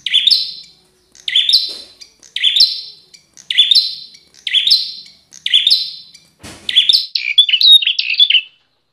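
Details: Bar-winged prinia, an aggressive fighting bird with fighter's temperament: loud buzzy phrases repeated about once a second, six alike, then a faster jumbled twittering burst after a low thump.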